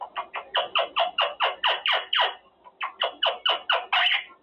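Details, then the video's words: Quaker parrot, a caged male, practising his words: two rhythmic series of harsh, squawky syllables repeated about twice a second, separated by a short pause. "Parrot practicing words - Talking Quaker parrot"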